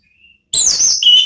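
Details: Orange-headed thrush in ngeplong style, a lure to make another thrush answer: a faint thin whistle, then a loud rich phrase sliding downward and ending in a clear level whistle.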